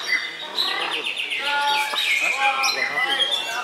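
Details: Murai batu (white-rumped shama) competing in a bird-song contest at Puspa Agro, Sidoarjo, Indonesia, where it took second place: clear sweeping whistles and stacked rising notes over a crowded background of other singers.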